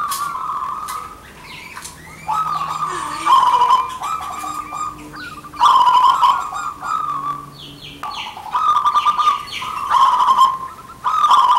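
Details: Male and female local zebra doves from Indonesia answering each other, recorded as lure calls: a busy series of rolling, bubbling coo phrases, several overlapping, over a faint low background hum.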